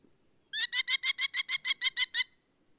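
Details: Merlin, the smallest European falcon, calling a single quick run of about eleven shrill, penetrating 'kli' notes over under two seconds, steady in pitch and evenly paced, against a quiet background.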